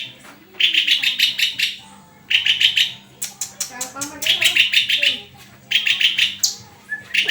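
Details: {'caption': 'Shama delivering repeated rapid phrases of sharp, high chips and rattles, some phrases longer and denser, separated by brief pauses; faint low hum underneath.'}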